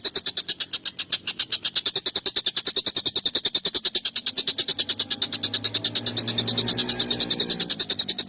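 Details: Collared kingfisher, recorded as a songbird training tutor, calling in a long, sharp, harsh series: rapid high rasping notes about three a second, with a low hum rising faintly in the background later on.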